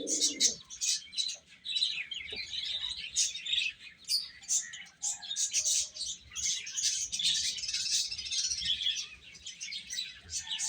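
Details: Little chicks eating amid continuous high, rapid cheeping that thickens in the second half, opening with a brief lower call.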